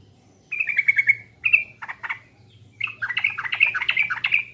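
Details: Sooty-headed bulbul from East Java giving a pancingan lure song: a level warbled trill, a short bright note, a pause, then a long burst of rich, bubbling, chattering phrases.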